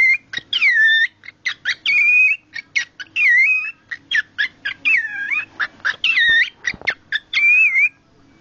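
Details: Pet cockatiel making its odd noise when shown cloth, here a smelly sock: warbling whistled notes that dip and rise, broken by short clicks and chatter, repeated throughout over faint background hum.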